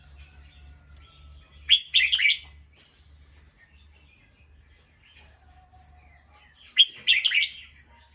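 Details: An alert bulbul, reacting to a sound, gives two loud bursts of harsh, chattering alarm chirps about five seconds apart, with faint thin whistles and a low background rumble between them.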